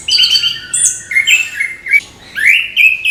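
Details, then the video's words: Orange-headed thrush, morning, singing a string of clear whistled notes and harsher squawky phrases, rising and falling, in quick successive bursts. "ANIS KEMBANG GEMERCIK SUARA DIPAGI HARI"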